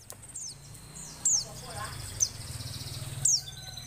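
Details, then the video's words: Female Oriental white-eye in breeding condition calls to prompt males to sing: three high, falling whistled notes over a steady low hum and soft background noise. "suara pleci betina birahi"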